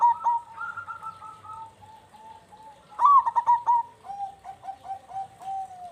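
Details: Local zebra dove in vigorous, big-voiced song: bursts of rapid stuttering coos on a steady mid pitch, with a second lower cooing line running alongside and a softer string of trilled notes toward the end.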